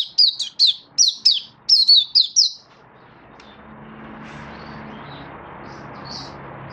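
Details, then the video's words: Mata puteh (Oriental white-eye) giving 'buka' song, 24 February 2023: about eight crisp high descending chirps in quick succession, then they stop and a low background hiss with a faint hum fills the rest. "Mata Puteh Happy Buka Sing"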